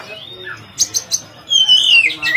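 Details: Oriental magpie-robin, locally kacer, song intended for training other kacer birds: a soft sliding whistle, three sharp clicks, then a long, loud descending whistle ending in a rising note.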